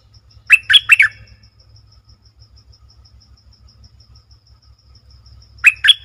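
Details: Streak-eared Bulbul, recorded 20 March 2022, gives two brief bubbly phrases about five seconds apart, each of three or four fast slurred notes, over a soft regular ticking.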